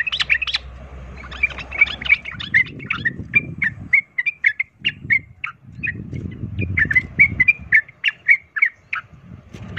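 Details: Sooty-headed bulbul fighting song of the 'ropel tarung' style, used to rouse other bulbuls to fight; a long run of short chirping notes, with low rumbling noise in between.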